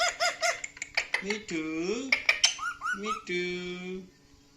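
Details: Chatty pet parrot indoors making a string of mimicked sounds: quick squeaky chirps, a low swooping wail, a rising and falling squeal, and a long level hum-like note at the end.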